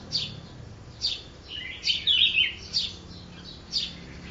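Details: Red-whiskered bulbul, a newly caught wild bird from the mountain forest, singing one day after capture: short chirps repeated about once a second, with a brief warbled phrase in the middle, over a low steady hum.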